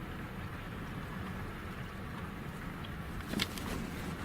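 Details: Steady low rumble of a passing vehicle and outdoor background noise, with a brief sharp click near the end; no animal voices stand out.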